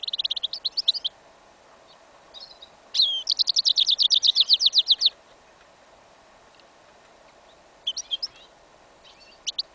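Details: A goldfinch × yellow isabel canary hybrid, recorded in a field on 11 January 2015 in winter, sings high twittering phrases, including a fast two-second trill of about a dozen bright notes, then chirpy bursts over soft hiss; the song is incomplete.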